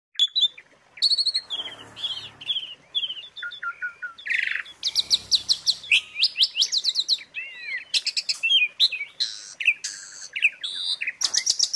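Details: Asian pied starling filler song used as training material for caged birds: dense, varied bursts of whistled and chattering notes, rising sweeps and rapid trills, with brief pauses between phrases.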